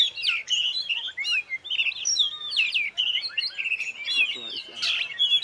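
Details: Caged champion oriental magpie-robin performing alone without tutor birds. It gives a fast, continuous warble of looping whistles, quick upward and downward slurs and scratchy high notes, loud and close.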